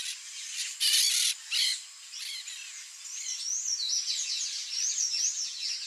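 Palm Tanager giving a high, thin, squeaky run of rapid slurred notes, preceded by a few louder broadband bursts of noise.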